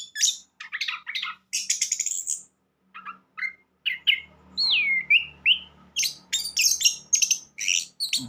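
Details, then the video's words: Orange-headed thrush song, used as a lure to get a silent bird singing: quick varied chirps and high whistles, one slurred descending whistle near the middle, a faint low hum beneath. "anis kembang gaya kekinia pancingan burung bisu"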